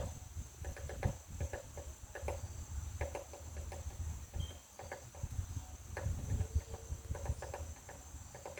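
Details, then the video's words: A woodpecker pecks a butterfly house, giving scattered hollow knocks in loose groups of two or three, pausing between bouts, while a thin continuous insect whine runs in the background. "Woodpecker pecking butterflies house"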